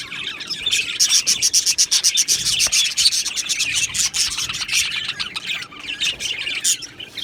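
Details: Australian budgerigars in an aviary colony chirping together: dense, rapid high chatter of overlapping scratchy chirps and warbles, bursts tumbling over each other several times a second without pause.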